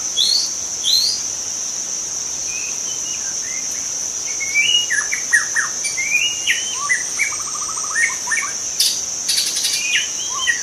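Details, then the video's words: Wild forest white-rumped shama singing: a varied run of clear whistles, upswept and downslurred notes and a brief rapid trill, phrases spaced irregularly, over a steady high-pitched insect drone that runs throughout. "suara asli murai batu hutan cocok untuk Memancing murai batu lain"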